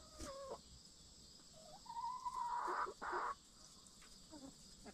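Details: A backyard hen settling in the coop before night roosting gives a drawn-out, slightly rising nasal murmur lasting over a second, then a brief harsh burst, with quieter clucks before and after and a steady high hiss behind.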